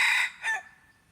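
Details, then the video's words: Decoy red junglefowl, 10 March 2022, heard at the end of a crow: a loud rasping note cut short, then a shorter trailing note that fades into near silence. "ต่อไก่ป่า Dib qaib qus tuaj zoo heev lis nawb"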